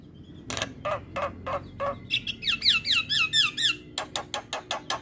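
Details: Javan myna singing in a morning training track for mynas: steady harsh rasping notes, then a rhythmic series of bouncy whistled phrases, ending in quick repeated squawks about four per second.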